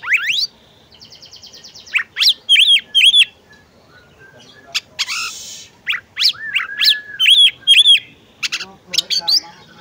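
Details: Female oriental magpie-robin calling to prompt a male to sing: loud bright whistled notes, rising upswept sweeps, a buzzy rattling phrase and paired chevron-shaped notes repeated in quick bursts, with brief quiet gaps between phrases.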